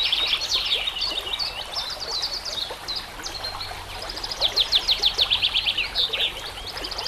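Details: White-rumped shama training song over trickling water and nature sounds: rapid high trills and chattering notes, a dense run of quick repeated strokes near the end, with a steady hiss of background noise.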